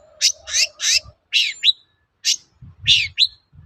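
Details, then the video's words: Shrike song used as a lure to make other shrikes answer: harsh broad buzzy bursts alternating with short sharp rising notes, in uneven bursts with brief pauses, faint low hum between phrases. "BANYAK CENDET NYAUT MENDENGAR SUARA BURUNG CENDET GACOR INI"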